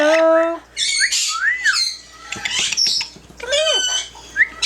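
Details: Yellow-naped amazon, a pet parrot, talking and singing: a held tonal note, then quick rising and falling word-like glides and bursts of raspy syllables, some noise-rich squawky elements mixed in.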